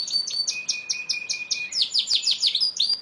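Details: Yorkshire canary, an imported European posture breed crossed from Lancashire and Belgian canaries, singing rapid repeated high chirps over a thin sustained whistle, then a quicker run of bright falling notes.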